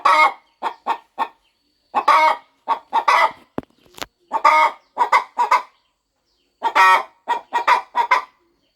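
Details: A mother hen readies her nest of eggs for hatching on a farm. She clucks steadily in rapid strings of short notes, with a couple of sharp knocks midway.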